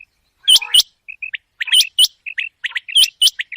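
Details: Common quail heard at night: three bright paired notes, with many quicker, lower chirps and twitters crowding in between.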